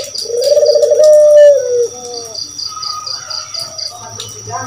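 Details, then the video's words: Spotted dove, local name puter or kedis kuteh, used as a lure to provoke other birds into answering; one long coo swelling then falling away at the end, followed by faint later notes and a steady high pulsing chirp. "Suara Burung Puter Masteran || suara pancingan jamin gacor"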